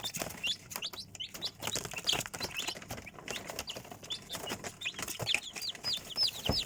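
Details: A brood of chicks cheeping, high falling notes about three per second, irregularly spaced, over rustling and tapping noises.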